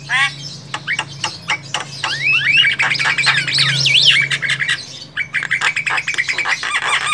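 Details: Javan myna calling in the wild: harsh clicks and squawks, rising and falling whistled phrases in the middle, then rapid chatter, over a low hum.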